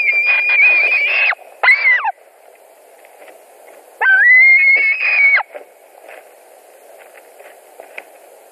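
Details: White-tailed eagles calling at their Latvian nest on the evening of 17 July 2020 as a fish is delivered and contested by two adults: bursts of strident, high yelping notes, then a long drawn call, fading into quiet hum and faint ticks.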